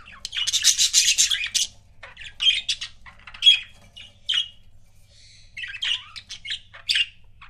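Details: Couple of pet budgies chattering: bursts of harsh, scratchy squawks and short chirps in quick clusters, with brief pauses between phrases, plus a faint low hum underneath.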